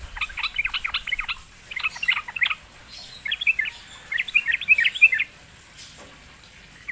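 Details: Sooty-headed bulbul singing after being lured, delivering four separate bursts of fast jumbled chirping notes split by brief pauses, with quiet background.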